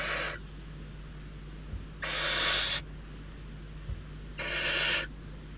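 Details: Barn owl chicks, hungry after several lean days, beg for prey at Riet Vell reserve in the Ebro Delta; three drawn-out rasping hisses, roughly two seconds apart, with low hum between them.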